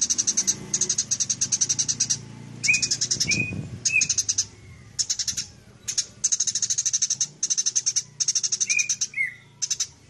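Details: Fighting Eurasian tree sparrow, long-duration tutor recording: bursts of rapid, very high buzzy chirps in trains about a second long, broken by a few lower sharp tweets; Eurasian tree sparrow.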